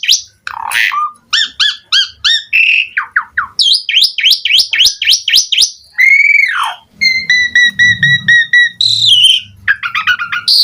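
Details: Asian pied starling in chatty full song packed with varied fill-in phrases, pumping during the performance: rapid stuttering whistles, repeated upswept notes, an arched nasal note, a long row of even flat pips, and scratchy chatter over a faint low rumble.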